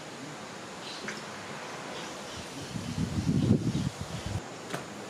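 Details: Rustling and handling noise with low murmuring and soft thumps, and no animal voice heard.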